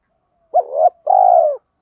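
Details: Spotted dove coo used to train cooing doves: a short upswept note running into a wavering middle section, a brief pause, then a long steady coo that drops slightly at the end.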